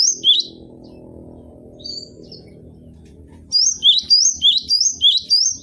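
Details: Cinereous tit (gelatik batu) kept as a cage bird: one brief whistled phrase, then a stretch of low humming noise, before a fast run of rising paired whistles repeated about six times.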